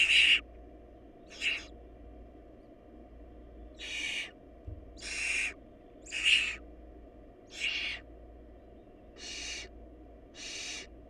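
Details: Hungry barn owl nestlings, in a family lacking food, make noisy breathy hisses. Eight bursts come at uneven gaps, some short and clipped, some longer and louder. There is a faint low thump midway and a constant background hum.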